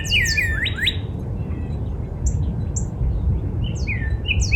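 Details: Northern cardinal singing in a backyard in spring: a quick run of clear slurred whistles, with falling notes and then two steep rising sweeps in the first second, followed by softer short chirps, over a steady low rumble.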